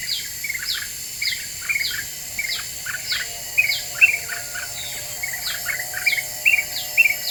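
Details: Lure song of a highly vocal Black-winged bulbul meant to agitate other birds: a continuous stream of bright, falling whistled notes and chirps repeated about twice a second, backed by a constant shrill insect hum.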